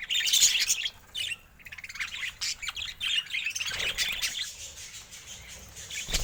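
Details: Several budgerigars warbling and chirping together, with busy high twittering, brief squawks and a short lull about a third of the way through.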